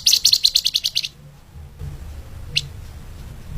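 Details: Flamboyan bird song for training other songbirds, lemahan speed rapat style: a swift run of about ten high, evenly spaced chirps lasting one second, then near silence broken by one sharp note.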